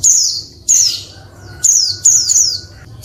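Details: High-pitched descending chirps from a female Oriental white-eye, calling to stimulate males to sing, spaced unevenly with some quick pairs, a faint steady tone and low hum behind.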